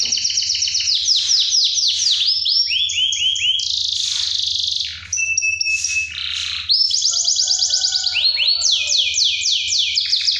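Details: Canary singing to stir silent canaries into song: continuous high trills of rapidly repeated swooping notes, shifting between rolling phrases and buzzy held tones, over a low background hum.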